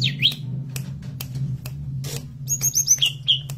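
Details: Tledekan gunung forktail in energetic song as master lure material: an opening downward-sweeping slur, clicks, then a rapid run of high thin whistles ending in two lower whistled notes, with continuous low background hum.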